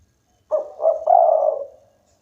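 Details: Single phrase from a local spotted dove singing strongly: two short low coos followed by a longer, sustained mellow coo that fades out, with a clean quiet background.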